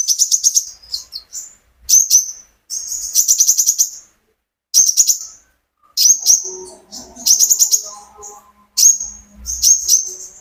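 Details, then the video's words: Captive sunbird recorded from the keeper's own bird, used as a lure to spur kolibri ninja birds into singing: bursts of high, thin, rapid chirps and sharp trills, separated by natural pauses of about a second. "burung konin gacor pancingan terapi burung kolibri ninja agar ikut gacor"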